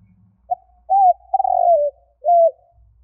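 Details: Spotted dove lure call for attracting wild doves: a quick opening note, an upslurred coo, a long burring croo sliding lower, and a closing flat coo. Faint low rumble underneath.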